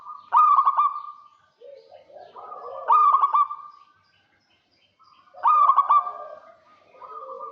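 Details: Vigorously calling local zebra dove luring a rival: three loud bursts of fast, stuttering coos about two and a half seconds apart, each fading into a steady hum, with quieter low cooing in the gaps.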